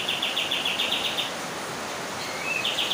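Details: Bird with a call like AK47 gunfire, giving a quick string of about eight high, clipped notes, then a short pause, a thin note and another burst, over steady outdoor background hiss.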